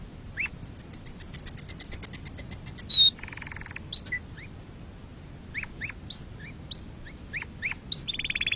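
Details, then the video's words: Singing canary, song for teaching young birds and for mating: a quick run of high clicking notes, a low buzzy roll, then widely spaced upslurred chips and short whistles. "تغريد كناري أصلي لتعليم الفراخ وللتزاوج وتهييج طيورك"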